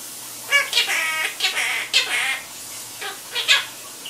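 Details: Pet Quaker parrot, described as a chatterbox, giving a run of short, raspy squawks and chirps with bright harmonics, in bursts separated by brief pauses, with a faint steady low hum behind.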